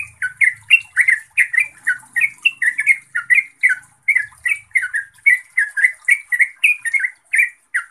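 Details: Continuous gacor song of a yellow-vented bulbul, aimed at getting mute bulbuls to reply: an unbroken stream of rich, gurgling, slurred notes about three per second, without pause.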